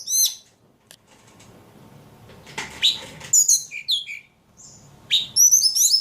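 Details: Ledekan giving scattered high chirps and buzzy twittering phrases, with rustling and low background noise in between.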